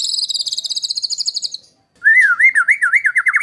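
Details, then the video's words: White-rumped shama used as master song for training competition birds, harsh rapid style: a fast high trill of repeated notes, a short pause, then a run of quick rising-falling whistled notes. "MASTERAN MURAI BATU TEMBAKAN KASAR~SHAMA BIRD SINGING MP3"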